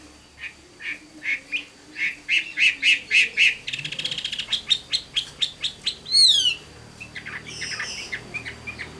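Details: Vietnamese 'tam hoàng' Chinese hwamei, an adult caught from the wild and valued for its voice, repeats clear sharp notes at a quickening pace, then a rapid chatter and a high slurred whistle, with faint background hum.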